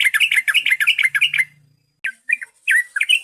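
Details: Rapid string of bright, bubbly yellow-vented bulbul notes used as a lure, a faint low hum under them, a short pause, then a few separate chirps and a slurred whistle.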